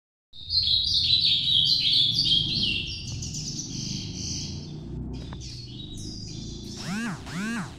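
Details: Ultramarine grosbeak singing its Nordeste-style 'noturno' song: a dense, fast twittering warble high in pitch for about four seconds. It fades into scattered notes, then ends with several sharp, looping chirps and a low rumble underneath.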